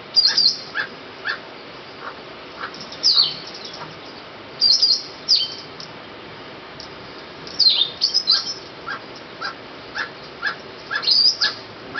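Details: Emerald Toucanet at La Cinchona de Alajuela, Costa Rica, February 2013, giving a steady series of dry, croaking barks spaced roughly half a second apart, while sharp, high twittering from other birds breaks in at intervals.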